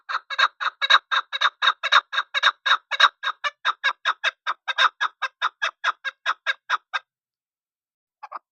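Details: Rapid rhythmic clucking from a chukar partridge, about seven seconds of evenly spaced loud chuck notes, then silence and a brief final pair of notes.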